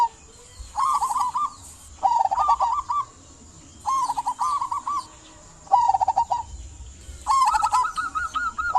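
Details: Local zebra dove singing actively, kept to prompt silent doves into song; bursts of rapid trilled coos near one pitch, each ending in stuttering rising notes, repeated in groups about every two seconds, with a steady high hiss behind.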